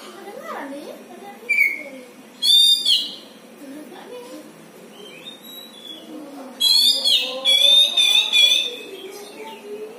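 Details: Pet white-rumped shama in a cage at home making a strange sound: bursts of bright, harmonic-rich whistles and rapid chattering notes, separated by quieter gaps with low human voices underneath.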